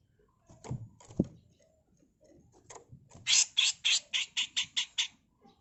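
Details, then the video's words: Female grey-cheeked bulbul in a tutor recording, building from quiet scattered ticks into a long run of about nine harsh, scratchy notes evenly spaced, the coarse 'mbeset kasar' style. "Masteran Burung CUCAK JENGGOT FULL MBESET KASAR || Cucak jenggot betina"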